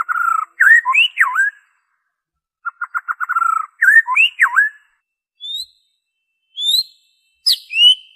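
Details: White-rumped shama in original song lacking mimicry, used to encourage shamas to sing: a steady fluted whistle with swooping slurred notes, a quick stuttered rattle, repeated swoops, then isolated thin high whistles between silences.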